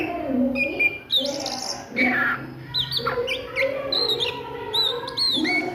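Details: Ngriwik song from an Oriental magpie-robin at midday: high sweeping whistles and quick chattering notes, some looping up and down, set against constant low background hum.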